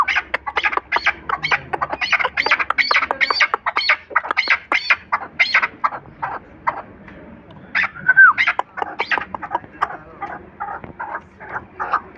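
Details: Hunting chukar delivers a long, excited series of harsh chuk notes, fast at first, pausing, then resuming more loosely with a brief thin whistle.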